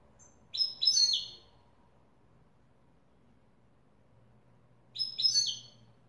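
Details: European goldfinch singing in the authentic Widani style: two short bursts of bright, liquid twittering about four seconds apart, with quiet low hum between them.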